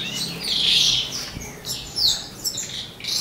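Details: Asian pied starling producing mimicked song: a loud, rich warble early on, followed by scattered sharp whistles and quick upward slides.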